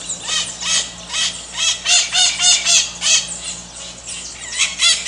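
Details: Maritaca (Pionus parrot) giving loud, harsh, strident squawks in a rapid series, about three or four notes a second, each note a grating rising-falling shriek, calling steadily throughout with a faint low hum underneath.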